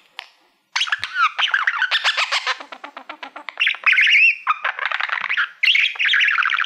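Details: Pet budgerigar, a male fond of mirrors, warbling at a silver award plaque: loud continuous chatter of rapid pulsed buzzes, looping whistled slurs and rasping squawks that runs almost without a break.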